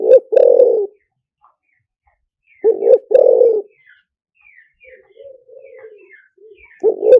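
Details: Spotted dove used as a lure, singing liu tan style: deep coo phrases of two clipped notes plus a long purring note, repeated about every three seconds, with quieter low coos and faint high bird chirps between.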